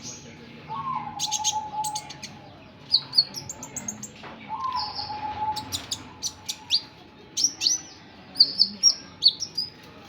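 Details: Sunbird, called kolibri ninja or burung konin, giving high, thin chirps and short sharp twittering bursts in irregular runs, with a steady low hum underneath.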